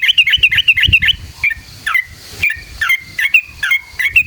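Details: Yellow-vented bulbul giving lure song of the ngalas ropel style: fast rattling chirps at first, then spaced, bubbly slurred notes and a few drawn-out whistles.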